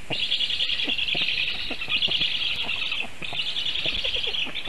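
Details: Black stork chicks at their Latvian nest in Sigulda region, 1 August 2021, during a goshawk visit at feeding time. Three loud, hissing, high-pitched call bouts are separated by short breaks, with faint knocking below.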